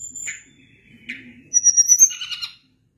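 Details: Sunda blue robin giving a high held whistle and soft buzzy notes, then a burst of bright, piercing whistles and a quick warbled flourish.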